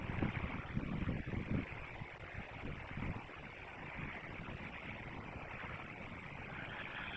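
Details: Steady wind and low rumbling noise with a few soft thumps, and no animal voice heard.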